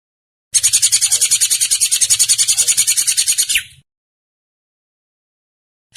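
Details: Drongo producing a long, harsh, buzzy rattle of fast, even pulses lasting about three seconds, then silence.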